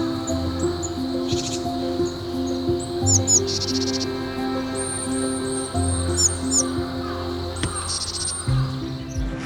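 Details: Tit parents at a branch near an artificial nest, food in their beaks, give thin, high, slurred calls in short bursts to lure nearly fledged young out of the nest, over steady background music.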